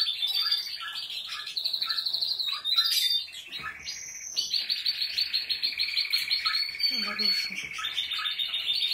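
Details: Canary song, with Portuguese Harlequin, Spanish, Malinois and Timbrado Español canaries featured: dense, fast warbling of bright high notes and buzzy rolled trills, with a brief low chatter near the seventh second and almost no pauses.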